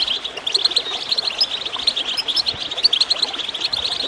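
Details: Goldfinch song with water gurgling, a steady stream of rapid high tinkling chirps and brief slurred notes running throughout.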